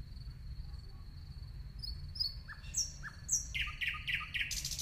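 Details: Nightingale song starting with a thin steady high whistle, then short downslurred notes and a quickening series of sharp repeated chirps, over a constant low rumbling background noise.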